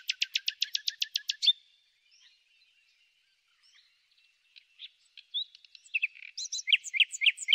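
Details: Common nightingale singing in spring: a loud, very fast rattle of repeated notes, a short gap of faint sounds, then varied sharp chirps and whistles building again.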